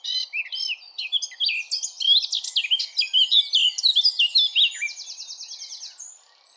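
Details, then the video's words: Eurasian blackcap song: a fast, rich, continuous warble of varied high chirps and twisting notes for about six seconds, closing with a brief rapid buzzy trill, with no other sounds. "Blackcap Bird Song"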